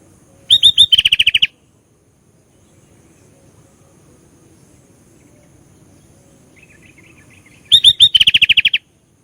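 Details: ['Sooty-headed bulbul (kutilang), an active singer with varied phrases: two loud phrases of high piercing notes and quick pulsed chatter, far apart, with a soft short trill just before the second one over faint background hiss.']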